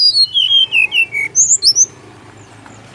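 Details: Jungle flycatcher song used to prompt other birds to answer, from Bali: a run of clear whistled notes sliding down step by step, then higher, thin, rising whistles, ending in silence with a faint low hum.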